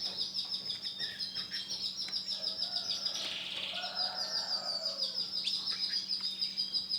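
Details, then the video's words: A white male canary sings a sustained high rolling trill with fast pulsing notes, a brief burst of lower warbled notes in the middle, and a steady faint hum throughout. "CANARY JANTAN PUTIH"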